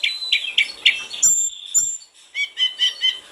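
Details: Snowy-browed flycatcher singing in lively full-repertoire style, used to stimulate singing: a row of short chirps, a pause with thin high notes, then another quick, even series of bright chirps.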